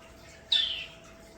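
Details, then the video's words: Common starling in an indoor bird room: a single bright descending whistle lasting about a third of a second, with faint room noise and a short sound at the end. "Talks and Sounds from our Bird Room yesterday!"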